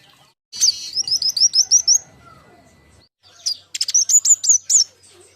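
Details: Group of young king konin birds singing lure and master song: two bursts of quick, high, looping whistled notes repeated about three per second, separated by a short pause, with no background sounds.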